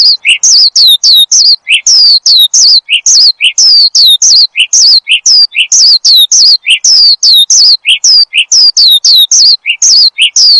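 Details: Lively Horsfield's bushlark song for training and luring cage birds: a steady series of high, downward-sweeping chirps, each followed by a lower short note, repeated almost twice per second.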